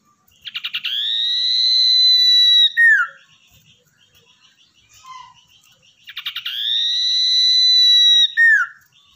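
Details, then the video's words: Tamed common iora, caught in the wild and kept as a lure bird, sings twice. Each phrase is a quick stutter of notes drawn into a long, steady whistle that ends with a sharp falling flick, with soft chips between phrases. "Cipoh atau Sirdung Ekor Hitam Gacor buat Pancingan"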